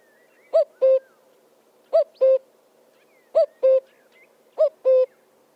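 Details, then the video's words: An oddly voiced bird gives four pairs of notes, each a brief upward-curling note followed by an even, level, hollow tone. The pairs come roughly every 1.4 seconds, with faint high slurred whistles in between. "Burung Bersuara Aneh"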